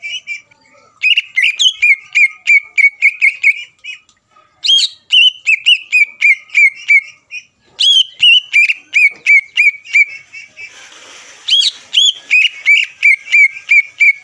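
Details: Greater green leafbird used as a lure so rival leafbirds grow heated and persistent: a long, almost unbroken chain of quick chirped whistles, several per second, with short pauses and a faint hiss midway.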